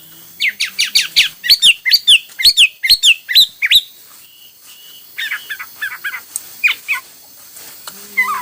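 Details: Hwamei song of many styles: a fast volley of sharp, downslurred whistles repeated several per second, a short gap, then softer varied chirping phrases and scattered thin notes.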